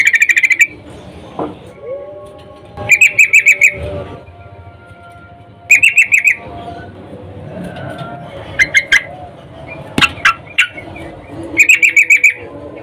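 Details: Female sooty-headed bulbul in breeding condition calling the male, used to lure males: repeated short chattering bursts of five to seven bright pulsed notes every few seconds, some shorter clipped notes between, over a low hum.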